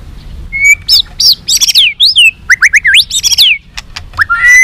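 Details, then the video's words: Energetic long song of a white-rumped shama aimed at inciting fighting, a dense stream of loud, looping high whistles and upward slurs, ending on a sustained rising note. "chòe lửa hót giọng dài kích lửa"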